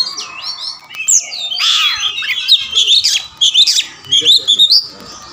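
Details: Oriental magpie-robin described as a formerly mute bird that answers quickly, fights and spreads its tail, delivering a varied medley of high slurred whistles, harsh squawky notes and quick trills in irregular phrases.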